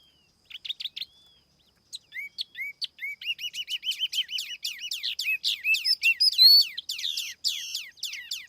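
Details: Tiểu mi laughingthrush singing as a decoy, recorded clean: a few opening chirps, a brief pause, then a long accelerating series of rapid rising whistled notes growing louder and denser toward the end.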